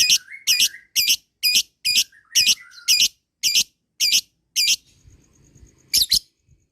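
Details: Lovebird with long chattering ngekek song, played to prompt other lovebirds to call: rapid bursts of shrill, high squeaky notes repeated about twice a second, with a softer lower warble between bursts and a short pause near the end.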